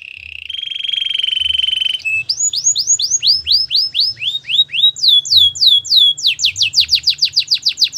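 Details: Gloster canary producing a sustained buzzy trill, then a steady series of bright downslurred whistles that grow quicker and tighter toward the end.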